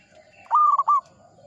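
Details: Single short phrase from a very old, frequently singing local zebra dove: a loud, strong coo followed by two quick clipped notes. A soft, low hum is in the background.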